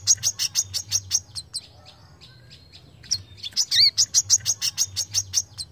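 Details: A Brown-throated Sunbird gives rapid, sharp, very high chips about three a second, a brief pause, then a thin twisting whistle before the chipping resumes. It is a sharp call used as a training recording for other birds.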